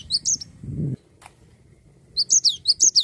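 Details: A Cinereous tit sings a trilling song of quick, high, bright notes in short bursts, each falling slightly, with a brief pause between bursts and a soft thump; used to stimulate other songbirds.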